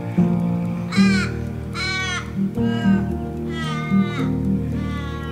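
An Australian crow gives five drawn-out, nasal caws, each sagging slightly in pitch, roughly one a second, over steady background music.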